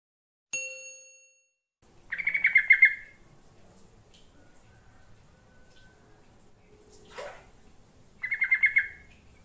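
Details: Yellow-vented bulbul song, played to lure other birds into replying: two short bursts of rapid, bubbly chattering notes about six seconds apart, with a brief sharp note near the start and a faint rising sweep between them.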